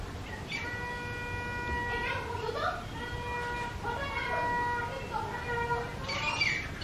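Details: Two wild grey francolins (Ortygornis pondicerianus) give loud territorial calls: ringing, nasal notes, each held about a second and repeated several times, with faint background hum.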